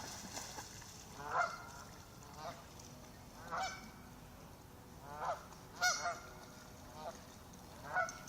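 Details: Ducks calling in alarm as they swim farther out on a lake after someone reaches the shore; loud nasal honks with stacked harmonics come in irregular bursts, roughly every one to two seconds, against a hissing background.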